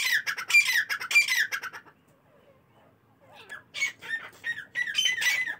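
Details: Morning calls of partridges: two loud rasping, grating bursts of quick scratchy notes, then near-silence for over a second, followed by another series of harsh, buzzy phrases repeated in close succession.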